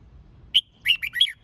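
A red-whiskered bulbul gives one bright clear note, then a quick bubbling phrase of four or five warbled, mid-high notes. The background is otherwise quiet.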